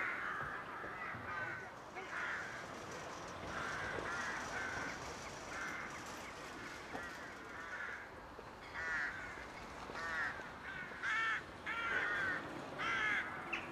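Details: A rookery in the courtship season, with rooks calling in rough, grating caws, sparser early on, then a quick series of loud overlapping caws toward the end.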